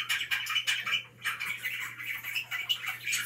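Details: Budgies chirping indoors in a small room: dense overlapping warbling chatter and quick squeaky notes, continuous throughout, with a steady low electrical hum underneath.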